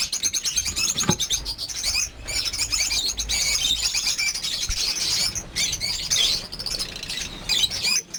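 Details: A breeding farm's flock of over 50 lovebirds calling constantly: many high, thin chirps and rapid twitters blend into a dense shrill chatter, with a couple of short breaks and a dull thud.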